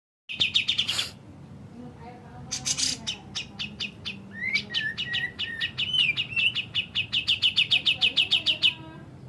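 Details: Grey-cheeked bulbul (cucak jenggot) in full, active high-and-low song: bursts of rapid, bright chattering notes, then lower whistled slurs, ending in a fast, evenly repeated high trill.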